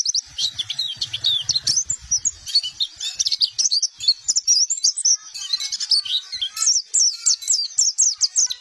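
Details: White-eye master and luring song, recorded free of ambient noise: a dense, continuous high twittering chatter of thin whistled chirps and short trills with no pauses, jumbling quick notes throughout.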